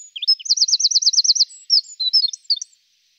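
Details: Male Eurasian wren singing: a loud, high, rapid song that opens with a few chips, runs into a fast, even rattling trill, then breaks into varied whistled notes before stopping abruptly.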